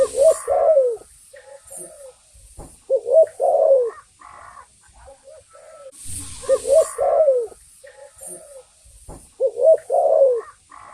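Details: Spotted dove lure call. Paired cooing phrases of short notes and a longer falling coo repeat about every three seconds, with a steady high hiss from insects or noise and faint other sounds between phrases.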